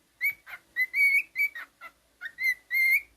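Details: Pet cockatiel, a male, whistling a rapid series of bright, steady whistled notes with strong overtones, some brief and clipped, others held longer, almost continuous across the few seconds.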